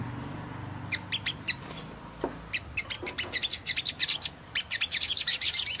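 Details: Crimson Sunbird ngleper song for stirring other sunbirds: scattered sharp high ticks that speed up into quick rattling chatter toward the end, with quiet gaps.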